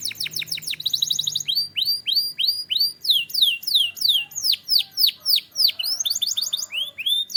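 A Belgian canary sings a fast, varied run of bright descending whistles, rapid trills and sweeping chirps, about three notes a second, with no other sounds.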